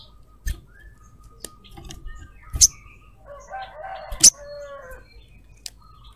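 A female sogon gives scratchy, chattering calls and sharp buzzy bursts, a few seconds apart, over a faint steady whistle in the background.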